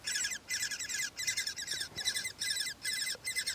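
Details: Woodpecker nestlings in a nest by forest trails and vineyards in Styria, Austria, call as their mother comes in to feed them: harsh, buzzy, high-pitched chattering in half-second bursts, about twice a second, with brief pauses.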